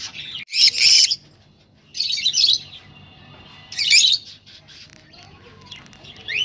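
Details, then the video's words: Rosellas calling, sounds used to encourage breeding: three loud, harsh, buzzy chattering bursts about a second apart, with softer high twitters and a short rising whistle between them. "تغريد طيور الروز ( حفز طيورك )"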